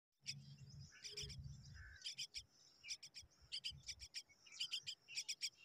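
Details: Hungry Common Myna chicks waiting for their mother give harsh, buzzy begging calls in rapid bursts, several clustered notes every half second or so, with a low rumble early on.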